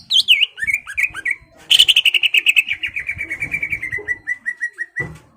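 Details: Greater green leafbird singing to provoke a rival to fight: a few swooping whistles lead into a long, rapid train of repeated clear notes that gradually fall in pitch.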